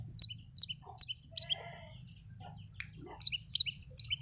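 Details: Long-tailed shrike lure recording meant to prompt silent, stressed birds: sharp, high chipping notes in quick sets of three or four, then a pause with soft lower notes, then another fast run.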